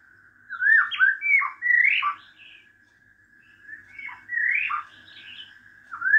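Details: Wild white-rumped shama song: two bursts of varied, slurred whistles and rising notes separated by a short pause, over a faint steady hum.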